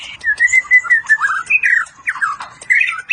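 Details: ["Medan white-rumped shama with 'cililin' and 'besetan' song: loud, continuous warbling of mid-pitched whistles that rise and fall, with quick chattering notes in between."]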